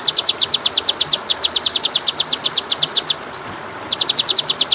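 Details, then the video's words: Oriental magpie-robin (kacer) tutor song for caged birds: a long steady stream of sharp repeated notes, one upswept whistle, then the note series resumes. "MASTERAN KACER PALING DI CARI, masteran Kacer suara burung kecil yang sedang tren di tahun ini"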